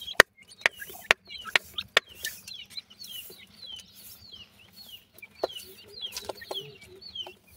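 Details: Several grey francolin hatchlings peep in rapid high chirps, each a brief down-slurred note, forming a busy chattering stream, with a few loud sharp clicks early on.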